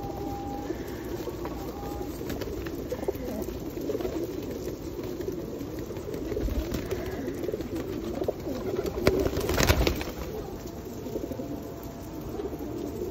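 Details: Rainy-day feeding of feral pigeons at Osu Kannon, 2021: continuous muffled flock cooing under a hiss of rain, rising to a louder rush of wings and noise near the tenth second.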